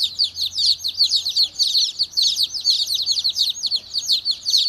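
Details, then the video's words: A crowd of agitated baby chicks peeping steadily, with shrill descending notes overlapping densely and a soft low hum in the background. "Angry Baby Chicks Chirping Sounds"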